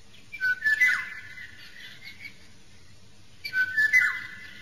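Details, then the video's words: Wild Eurasian golden oriole (Oriolus oriolus) giving two short, fluty whistled phrases about three seconds apart, over a steady hiss of background noise. "Canto e verso Rigogolo - Richiamo Oriolus oriolus"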